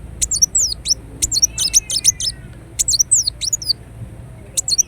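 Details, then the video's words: Ruby-cheeked sunbird (kolibri wulung) from Indonesia, singing in lively bursts: very high, thin, wiry notes sliding up and down in quick twittering clusters, separated by short pauses, over a faint low rumble. "Kolibri Wulung Gacor Dorr Bocor Corr"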